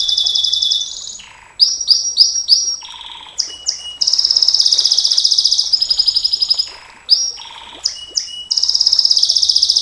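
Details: Canary singing the long 'nembak panjang' style: rapid high trills alternating with repeated slurred chirps and lower held whistles, varied and continuous.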